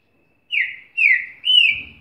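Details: A Green-winged saltator (Saltator similis), very eager to sing, gives three loud, clear whistled notes: the first two slur downward and the last rises then falls, ending in a soft thump.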